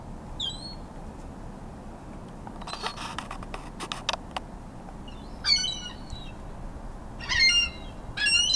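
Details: A mixed group of ring-billed and Iceland gulls feeding and fighting over food. A faint call opens the clip, then a quiet stretch of clicking and knocking, then three loud, ragged squealing bursts about a second apart near the end.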